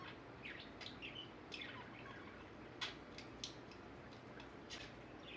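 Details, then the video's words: Indoor pet budgerigar, a male known for talking constantly, even while asleep, giving soft, scattered chirps and short scratchy twitters separated by brief pauses against a low room hum. "Talking budgie"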